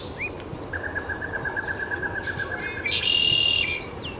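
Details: Taos, New Mexico, 17 June 2017: a great-tailed grackle's thin slurred whistles, a long even string of rapid mid-pitched pulses, then a loud harsh buzz lasting under a second.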